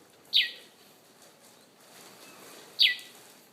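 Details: A bird calling outside a bedroom window in Conakry in the morning gives two bright falling chirps roughly two and a half seconds apart over quiet ambient hiss.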